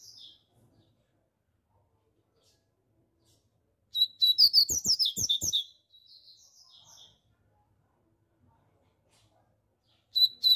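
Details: Loud song of a Rusty-collared seedeater, a rapid two-second phrase of bright, high chirping whistles with downward sweeps, trailing into softer twitters, then silence until a new phrase begins at the end.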